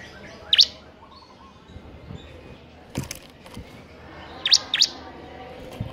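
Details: A Bar-winged prinia, singing bird, gives quick, sharp, high chirps in two brief bursts about four seconds apart, with a few dry clicks in between.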